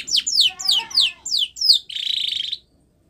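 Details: Short phrase from a white Spanish Timbrado canary's training song: six loud downward-sweeping notes, each about a quarter second apart, ending in a buzzy metallic rattle, then silence.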